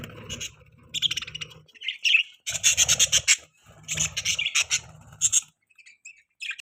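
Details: Budgerigars chirping: bursts of high, scratchy, buzzy chatter in short runs separated by brief gaps, with a low steady hum underneath and sparse single chirps toward the end.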